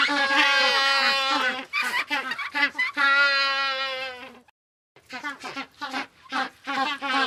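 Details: Several penguins bray at once, their long harmonic donkey-like cries broken by quick pulsed notes. A brief pause follows, then a rapid series of shorter honking calls.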